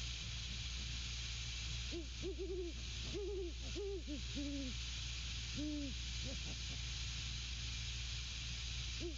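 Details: A Great horned owl pair at the nest, male and female exchanging hoots and grunts at 21:50 on 12/06/22. Deep hoots run in quick strings from two seconds on, some overlapping, with a steady hum and hiss underneath.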